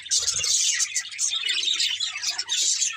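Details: Playful, happy budgies singing: short burst of dense high chatter, shrill chirps and buzzy warbles overlapping from several birds, continuous throughout, a low knock at the start.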